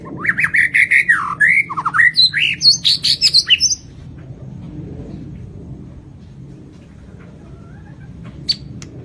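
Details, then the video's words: White-rumped shama from Lampung in varied song: warbled rising and falling whistles and quick chirps for about four seconds, then quiet with one faint sharp note later. "SUARA BURUNG MURAI BATU LAMPUNG ISIAN KOMPLIT GACOR"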